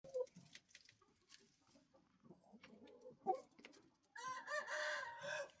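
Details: Rooster giving a loud, harmonic-rich crow in the final second and a half, cut off at the end, after several seconds of soft low clucks and scattered clicks.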